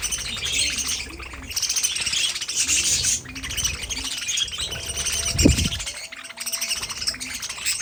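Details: Several budgerigars keep up steady high chattering and twittering in bursts, broken by a brief low thump or knock partway through.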